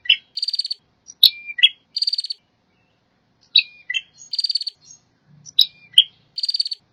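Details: Prinia singing: short buzzy trilled phrases of about half a second, repeated four times, interspersed with sharp high chip notes and brief downslurred whistles, in an otherwise quiet setting.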